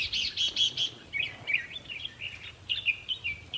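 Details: Red-whiskered bulbul song aimed at making caged birds excited during decoy trapping: four quick bright chips, then a string of rolling, chattering warbled notes.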